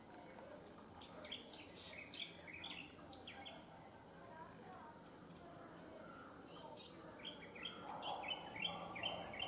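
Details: Bronzed drongo singing while perched on a wire: scattered high, bright chirps and short whistled notes come in loose bursts, clustering near the start and again toward the end, over steady low background noise.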